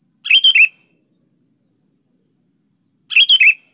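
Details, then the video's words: Sooty-headed bulbul in full, vigorous song, giving two matching phrases of three to four rich, chirpy notes about three seconds apart. "SUARA BURUNG KUTILANG GACOR"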